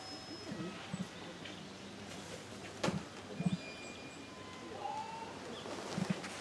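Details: Female emu at Tama Zoo, Japan, filmed in January 2023, giving its light, drum-like 'pon pon' call; scattered deep soft thuds, single or paired, spaced irregularly over faint background noise and distant chirps.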